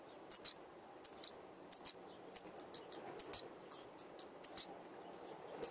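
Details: Common nightingale nest in an attic holding five chicks, 15 May 2014, recorded by a GoPro beside the nest: sparse high-pitched hissing notes, often in pairs, separated by short pauses over a faint background hum.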